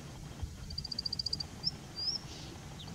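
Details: An Indian bushlark singing from a rock and cocking its tail gives a quick run of about ten thin, high notes, then a few short slurred whistles, over a low rumble of background noise.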